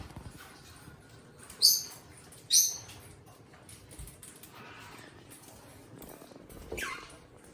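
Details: Two pet eastern rosellas seen up close; two short, shrill, scratchy squawks about a second apart, then softer rustling and a faint chirp near the end.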